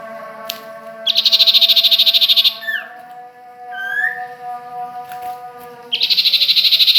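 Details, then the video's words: Sirtu or cipoh bird from Ajibarang giving a loud, rapid buzzy trill lasting over a second, a few sliding whistles, then the buzzy trill again, with a constant low hum behind. "Suara burung sirtu,cipoh Ajibarang"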